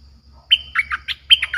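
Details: Lure song of a Streak-eared bulbul, bold and fierce in tone, meant for wild birds: a clear whistled note followed by quick, gurgling chattered notes in a brief burst.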